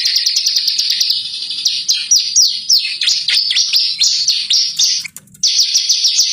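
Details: Bar-winged prinia (ciblek) song used as a lure recording to make birds sing: rapid, bright chirps and sharp downward-sweeping whistled notes in a dense stream, with a brief pause near the end before the chirping resumes.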